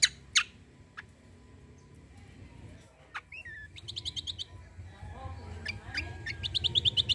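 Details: Cucak kombo in lively full-burst song, used to provoke other birds into singing: a few loud sharp notes, then quick runs of high clipped chirps building toward the end over a low background hum.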